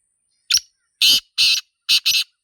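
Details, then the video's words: Wild black francolin (Sindhi teetar) calling in a natural setting: a short harsh opening note, then loud, grating, buzzy notes delivered in quick pairs, about five rasping bursts within two seconds, with nothing else audible. "Sindhi Teetar Sound 2026 | Black Francolin Calling in Nature"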